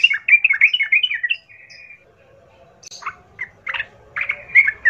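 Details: Sooty-headed bulbul giving a vigorous lure song to provoke other bulbuls into answering and fighting: a rapid run of warbled, bubbling whistles, a short buzzy trill, then a pause before scattered sharp notes and fresh warbling phrases.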